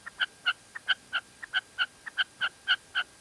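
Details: In La Mancha, Spain, a female red-legged partridge calls in quick clipped notes that alternate between softer and louder, about twelve in three seconds.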